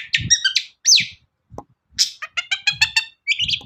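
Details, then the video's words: Long-tailed shrike singing as a lure to prompt other shrikes to sing: a varied mix of harsh buzzy bursts, stacked chattering notes and one sharp falling whistle, with short pauses between phrases. "CENDET GACOR SUARA AMPUH..! pancingan burung cendet paling dicari"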